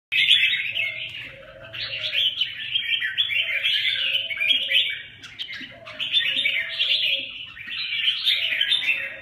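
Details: Red-whiskered bulbul singing: lively warbled phrases of chirpy, slurred notes in bursts lasting one to three seconds, with brief pauses, and a faint lower whistle running beneath.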